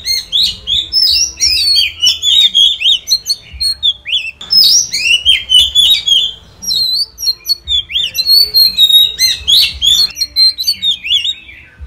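Oriental magpie-robin in rich, continuous song: loud whistles, rising and falling slurs and quick chattering notes, varied phrase after phrase with barely a pause.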